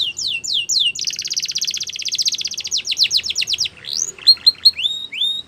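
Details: A Belgian canary sings for training young canaries: high descending whistles, then a fast rolling trill of rapid notes, followed by sliding rising and falling phrases.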